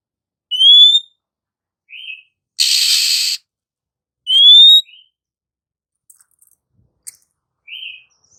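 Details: Female Oriental magpie-robin singing to provoke sluggish, silent males into song: loud rising pure whistles near 3–4k repeated about every four seconds, each followed by a short soft note, with a harsh broadband rasp between them.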